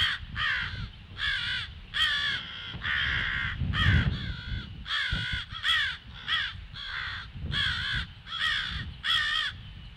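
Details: Alarm caws of crows recorded on a February morning at 08:50, loud hoarse calls repeated in quick succession, about one per second, with low background rumble between them.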